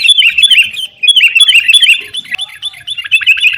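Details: Sooty-headed bulbul used as a lure so caged birds will sing, sounding aggressive: quick, cascading chirps in short lively runs, slightly softer toward the end.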